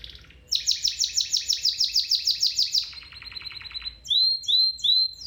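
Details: Domestic canary singing as training for a canary: a brief soft trill, then a fast rolled series of high chirps, a lower buzzy trill, and finally three clear rising whistled notes.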